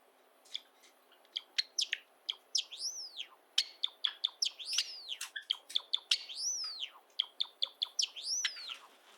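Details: Pet Java sparrows, one of seven kept indoors, singing: rapid dry clicks and snapping notes interspersed with clear whistled notes that arch up and fall, repeated several times over a quiet room background.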